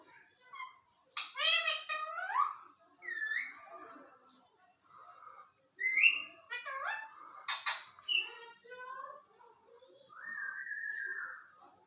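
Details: Pakistani parrot kept indoors, mimicking speech with the phrase Allah Hoo; clear harmonic talking syllables mixed with squeaks, whistled notes and a long rising-falling whistle near the end, in short bursts with pauses.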